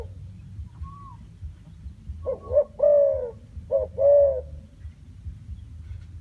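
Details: Spotted dove giving a single cooing phrase: a short double note followed by a long, mellow, slightly falling coo, then a brief pause and a second such pair with a drawn-out coo; faint low hum throughout.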